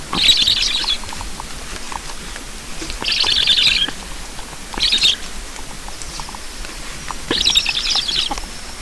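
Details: Black storks at an Estonian nest during feeding, 9 July 2019, 7:15; four separate bursts of hoarse, hissing, high calls, each lasting about a second, with quiet pauses between.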